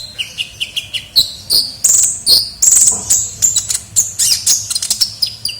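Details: Lively kolibri ninja sunbird used as a lure: short sweet high notes at first, then long shrill whistles and a quickening stream of sharp chips and twitters.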